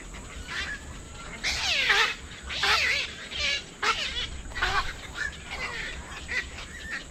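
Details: Black-crowned night heron giving harsh, raspy squawks that slide downward, four main bursts roughly a second apart with quieter ones after, over steady background hiss and faint chirping of other birds.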